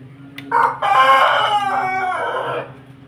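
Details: Rooster of a Pelung and Bangkok chicken cross giving one long crow: a short opening note, then a sustained, strained, richly harmonic phrase lasting about two seconds that fades slightly at the end, with a low hum underneath.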